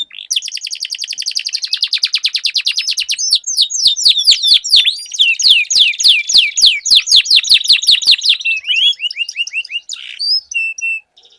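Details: Canary duel with a long rapid buzzy roll, pulses repeated many times per second, giving way to cascading falling whistles and scattered short chirps.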